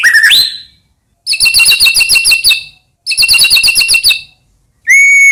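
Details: White-rumped shama (murai batu) song used as a lure to provoke other shamas into singing: a rising whistle, then two loud bursts of rapid, buzzy repeated notes lasting over a second each, ending on a clear, steady whistle.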